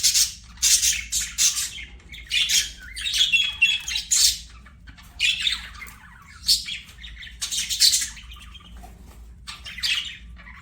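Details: Budgerigars singing while playing: busy run of harsh, raspy chirps and squawks in quick clusters, with short gaps between bursts and a constant low hum.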